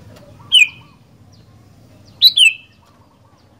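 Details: Sooty-headed bulbul singing vigorously: a single sharp downslurred whistle, then a rapid double descending whistle about two seconds later, loud and clear over a faint low murmur.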